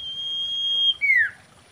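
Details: Common iora in mating song, described as a female and used as a lure: one long, steady, high whistle held nearly a second, then dropping into a clear descending slurred note.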